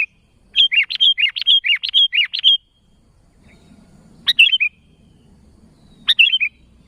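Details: Sooty-headed bulbul calling out to companions, opening with a rhythmic string of eight alternating high and low looping chirps, then two brief phrases of a click plus quick twisted notes, spaced apart over soft background hum.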